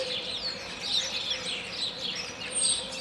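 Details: European starling in Moldova giving an improvised, jazz-like song: a rambling stream of high whistles, slurred sweeps and chattering notes, swelling around the middle and end, over a faint low background hum.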